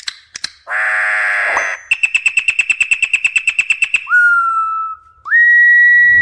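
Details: Brazilian campo troupial (corrupião) giving wild song meant to stimulate other birds. A rich harsh note is followed by a rapid even trill of clipped whistles, then two long pure whistles, the second higher.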